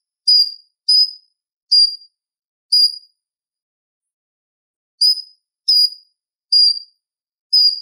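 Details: Purple-throated sunbird calling, recorded to train kolibri ninja: sharp, high, squeaky single notes, four in quick succession, then a two-second silence before four more. Nothing else is audible.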